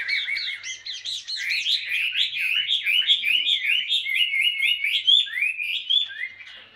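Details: Caged Chinese hwamei, a mature wild-caught bird with blue-green plumage held two years, singing ngũ trường style: loud, fast cascades of looping whistles, varied and continuous, with sharp high notes near the end.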